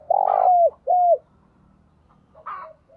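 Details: Spotted dove kept as a decoy, calling to draw in wild birds in a rural setting; one long hoarse coo and a shorter curved coo, then a brief chirp from another bird.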